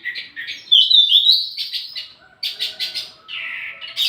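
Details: Wambi mini song meant to lure and teach other songbirds: a loud, slurred whistle then scratchy chattering bursts, broken by short pauses and a falling buzzy note.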